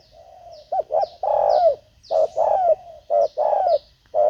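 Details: Spotted dove cooing while wild birds are lured with a decoy: a soft lead-in note, then paired short coos and long falling coos in quick succession, with high descending chirps above.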